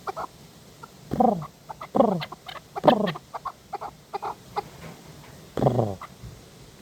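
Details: Hunting chukar partridge giving loud, harsh, grating calls with a falling pitch, about one second apart, then a pause, then a final strong call, with softer clucks scattered between.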